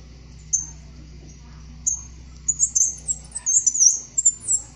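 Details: Black-chinned mountain tanager (Anisognathus notabilis) singing very high, thin notes: a few isolated squeaky whistles, then a quick twittering run of sharp high chirps over the last two seconds, with a faint low hum beneath.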